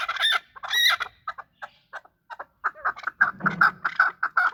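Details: Chukar partridges fighting: two loud harsh squawks, scattered soft clucks, then a quickening run of ringing chuck notes toward the end.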